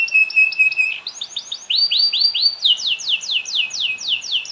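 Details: Canary song intended to set other canaries singing: a few short chirps and a steady high tone, then series of repeated downward-sweeping slurred notes that speed up and shift pitch, loud, clear and high-pitched.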